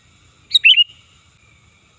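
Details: Single loud, bubbly call from a sooty-headed bulbul, sound used as a lure for birds: a quick sharp note sliding into slurred warbled syllables, then the start of the next phrase.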